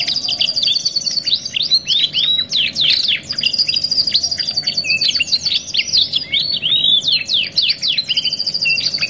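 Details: Canary masteran song, 2 in 1 luxury type, played as therapy for other canaries: sustained high metallic trills interleaved with clusters of looping, dropping whistles, continuing steadily for the whole stretch over soft hum.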